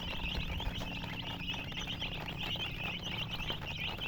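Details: Chicks peep nonstop, bright high chirps tumbling over each other in a thick chorus, with a low hum beneath.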